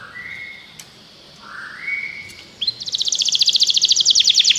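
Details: A canary sings, used to coax another canary into song. Two drawn-out whistled notes rise gently, then a fast pulsing trill builds in loudness to the end, with faint background noise.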